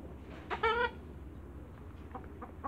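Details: Hybrid Canada × African geese, four of them, greeting other geese on a waterbird farm. One loud, rich, nasal honk with a slightly wavering pitch, followed by fainter distant honks over steady low background noise.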